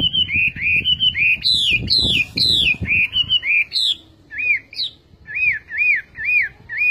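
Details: Loud, varied whistled song of a Chinese hwamei. Quick arched and downslurred notes come in a rapid run, then a slower series of rounded rise-and-fall whistles about every half second, with faint rustling underneath.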